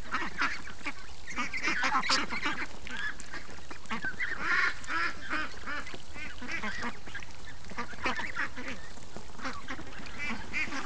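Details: Flock of free-range domestic ducks in the morning, loud overlapping nasal quacks and honks tumbling over one another throughout.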